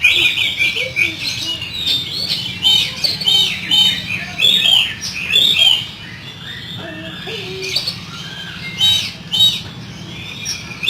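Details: Oriental magpie-robin in rough fill-in song: busy sequence of high whistles, chattering and rasping notes, a quieter stretch midway before the lively phrases resume, with a faint low hum behind.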